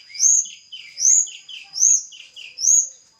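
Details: Little pied flycatcher from the Javan mountains, captive birds being paired; a two-part phrase repeated four times, a bright rising-falling high whistle followed by lower buzzy notes, roughly every 0.8 seconds.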